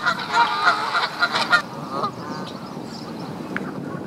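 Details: Canada goose calls in spring at Duke Farms, New Jersey, April 2015, during mating-season fights for females: a quick burst of loud honks for about a second and a half, then only background rumble.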